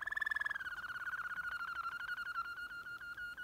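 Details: Waterslager canary in deep tours: a fast pulsed rolling trill that slides down in pitch, then settles into a steady, even, low bubbling roll.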